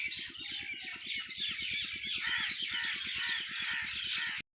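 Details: Birds singing at a farm in the evening, a dense mass of chirps and squeaky calls, accompanied by constant quick low pulsing from machinery, cutting off abruptly just before the end.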